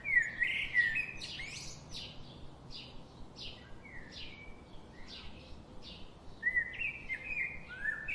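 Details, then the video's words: Birds giving rapid, squeaky chirps and sharp downward-sliding notes, with a louder burst of chirping near the end over faint background noise. "Birds sound"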